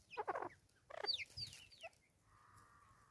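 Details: Angry female Natal spurfowl (Pternistis natalensis) in South Africa, 2024, giving two rough, grating cackling bursts, then thin descending squeals, followed by a steady tonal hum in the background.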